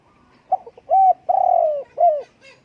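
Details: A spotted dove gives a cooing phrase: a few soft short notes, then a clear coo, a long slightly wavering coo and a final falling coo, in a quiet setting.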